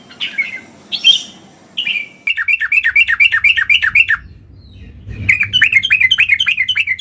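A bulbul gives rapid runs of bright, chirpy notes, about four a second, after a few louder scratchy phrases, with faint low room noise beneath.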